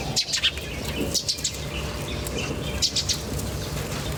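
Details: Birds chirp in nature in small clusters of very high, sharp notes separated by short pauses, over a low, constant background hum.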